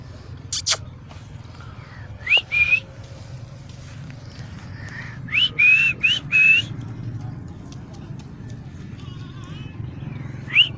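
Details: Pet Alexandrine parakeet outdoors in a park whistling in short rising notes, one pair early and then a quick run of three or four, with a person speaking to the bird and low background hum.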